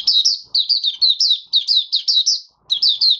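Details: Caged oriental white-eye (Mata Puteh Raja) in open singing, five days after its monthly deworming, 20 January 2022: a rapid, continuous run of high, sweet warbled chirps, briefly pausing before resuming.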